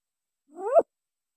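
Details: Single rising call of a green imperial pigeon, recorded for luring wild birds: a smooth upward sweep that ends abruptly after about a third of a second, with nothing else heard.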